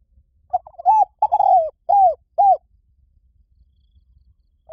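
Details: Spotted dove phrase of stuttered introductory notes, a long gliding coo and two shorter falling coos, followed by silence and the start of another phrase.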